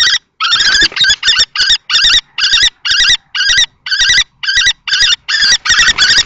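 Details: Two male common kestrels at Théding, France, on 20 March 2024: an older adult contests a nest box with a young male in juvenile plumage, a female present. Loud, harsh, raspy notes repeat rapidly, roughly two to three per second, in a sustained series.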